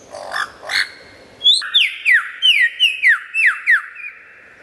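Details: Lyrebird in a loud, clear recording for tutoring songbirds: two harsh lower notes, then a quick series of about ten down-slurred whistles, each a quarter second apart.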